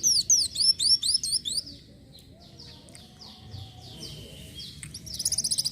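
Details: Kolibri wulung, or Van Hasselt's sunbird, in lively 'isian' song: a loud burst of quick high sweeping chirps, then softer descending notes, ending with a brief buzzy trill.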